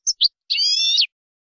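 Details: European goldfinch singing, a training recording of tutor song: two short high chirps, then a long sustained buzzy trill with layered tones, ending in a falling slur; no other sounds.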